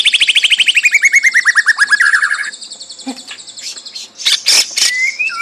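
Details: White-rumped shama, fighter type: a fast even trill of about two dozen notes, sliding slowly down, then softer chatter and sharp clicking bursts followed by a thin rising whistle.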